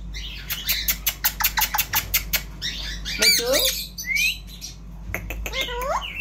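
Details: Talking Indian ringneck parrot: a rapid string of dry clicks, then voice-like warbled phrases with wavering harmonics and a short rising whistle, suggesting mimicked speech.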